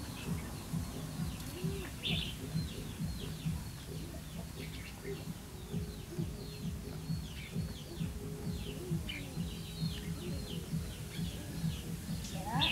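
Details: Caged red-whiskered bulbul used as a decoy, singing to draw wild birds into a trap, 28 November 2015; repeated short bright chirps and twittering phrases, thin against persistent low-pitched rumbling noise.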